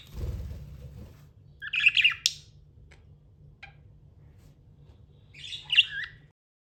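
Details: Budgerigar giving two isolated bursts of buzzy, scratchy chirping about four seconds apart, after a low rumble at the start.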